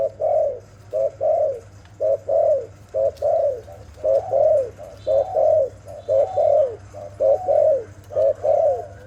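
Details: Dove cooing steadily, a soft low note followed at once by a longer arched coo, the pair repeated about once a second for eight rounds, with a constant low hum underneath.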